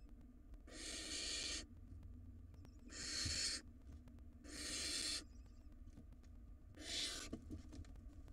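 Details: Wild barn owl nestlings in a nest box, fighting over a meal: four harsh, broadband hissing screeches, each about a second long, spaced roughly every two seconds, with faint clicks between.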